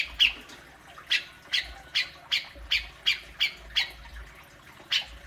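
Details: Grey-cheeked bulbul besetan for goading a kept bird into calling: eight loud, rasping squawks spaced irregularly, a strong opening note, then a pause, then a regular run of notes, and one last squawk.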